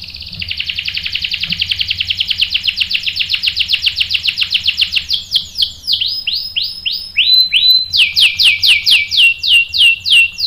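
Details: Canary singing to agitate other canaries into answering with sharp rolls: a long fast trill of crisp repeated notes, then loud downward-swooping whistled phrases repeated in groups at varying pitches.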